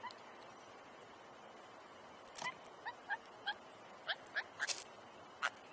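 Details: A fledgling brown thrasher in Louisiana, out of its nest near a feeder, unable to fly yet and still fed by its parents, gives about ten short, clipped, slightly raspy chirps in an uneven series every third to half second, over faint hiss.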